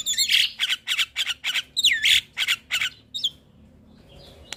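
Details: Song of starlings intended to make caged starlings start singing: a run of loud raspy squawks about three a second, some with slurred whistles, fading to near silence before a final click.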